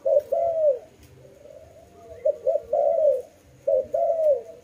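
A dove gives soft, low, hollow coos in short phrases: a brief note, then a longer falling one, repeated about every second and a half.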